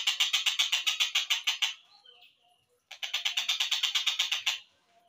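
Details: Collared kingfisher slowed down as training material for songbirds: two long runs of harsh, evenly repeated notes, about four each second, each run nearly two seconds long, split by a brief thin whistle.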